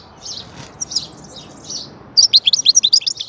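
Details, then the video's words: European goldfinch singing: a few soft, scattered high notes, then a fast burst of bright, liquid twittering notes in the last second; quiet background otherwise. "Huzur verici saka sesi mūkemel"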